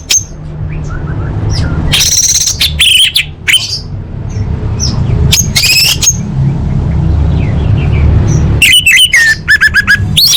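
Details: Lure call of a female orange-headed thrush calling males to make silent birds sing: scattered bursts of harsh, scratchy high squawks separated by pauses, over a continuous low rumbling hum.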